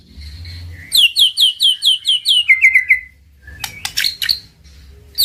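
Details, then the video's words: White-rumped shama master recording used to stimulate a silent bird to sing: a rhythmic series of bright repeated whistled notes dropping in pitch, followed by harsh buzzy bursts. "Suara Masteran Murai Batu,Ampuh Naikan BIRAHI dan Emosi Murai DIAM jadi NYAUUT!"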